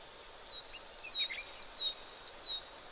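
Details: Oxpeckers at an African waterhole on 25 November 2024, moving around with lots of calling. High, thin whistled calls, several sliding notes about every half second, over a steady background hiss.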